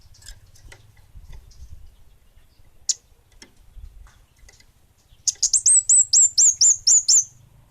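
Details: Orange-headed thrush of the bunga api type, singing actively: after scattered faint ticks, a fast burst of about nine high, sharp, down-hooked whistled notes comes in quick succession near the end, with low background rumble.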